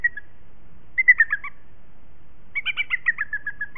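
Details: Booted eagle pair at the nest in Els Ports Natural Park on 21 May 2018 at 14:18. They are changing over during late incubation as the female urges the male to leave. There is a brief note, a short whistled burst, then a falling series of about ten chirps.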